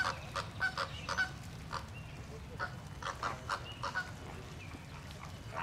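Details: Loud Caribbean and Greater Flamingos amid squabbles give irregular, goose-like nasal honks, a few per second at first, then spaced out, over steady low-pitched background rumble.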